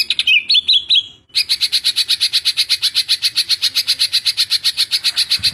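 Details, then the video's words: Greater green leafbird gives a few slurred high whistles, then a fast, steady run of sharp, high notes fired in tight succession, several per second. "Suara Cucak Ijo Tembakan Rapat"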